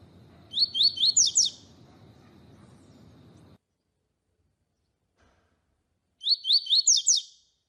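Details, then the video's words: A double-collared seedeater repeats its tui tui song, used to excite and tutor other seedeaters. Two identical phrases, each of six quick, high, rising whistles ending in slurred notes, come about six seconds apart with light hiss between them. "COLEIRO TUI TUI PARA ESQUENTAR COLEIRO, MELHOR TUI TUI PARA MESTRE PAPA CAPIM"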